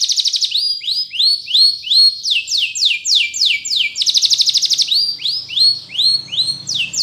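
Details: Spanish Timbrado canary song for training: a continuous, high, bright stream of fast rolling trills alternating with series of repeated downslurred whistles, about three per second, with a faint low hum in the background.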